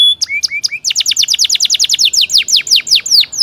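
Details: Atlantic canary song: a few rising whistled notes, then a fast series of bright descending sweeps repeated about every tenth of a second, forming a rapid rolling trill.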